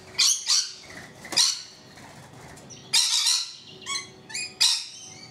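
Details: Shrill, rasping screeches from rainbow lorikeets on a balcony, given in irregular bursts of one or two calls with short quiet pauses between them.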